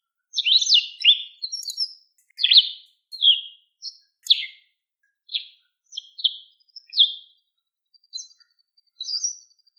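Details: White wagtail, watched in the wild, giving a series of short, sharp chirps that slur down in pitch. They come in irregular bursts, about fourteen over ten seconds, with brief gaps between them. There is little other sound.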